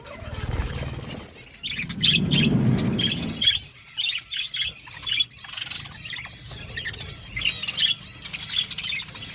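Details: Pet budgerigars eating, a low hum early on, then repeated bright high chirps roughly three per second alternating with short gaps.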